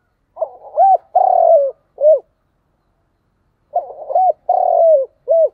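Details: Spotted dove repeating its thúc gù coo twice, about four seconds apart. Each phrase is a stuttered lead-in, a rounded coo, a long buzzy descending coo and a clipped last note.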